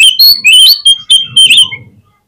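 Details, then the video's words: Oriental magpie-robin lure song used to make birds answer and open their tails: intense sharp whistled notes mixed with harsh scratchy elements in a quick, loud two-second burst. "PANCINGAN KACER INI BIKIN CEPAT RESPONESHIFT || AUTO RAJIN BUKA EKOR GAMPANG NYAUT"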